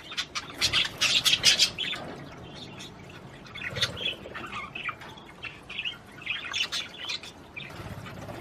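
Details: Budgerigar warbling to encourage a female to mate: a loud run of rapid clicks and scratchy chatter early on, followed by softer squeaky, whistled notes repeated irregularly.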